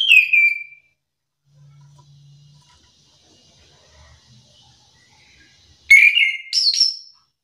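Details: Orange-headed thrush answering another singer: a clear whistled phrase falling in pitch, a long quiet gap with a faint low hum, then loud varied whistles with rising and falling notes.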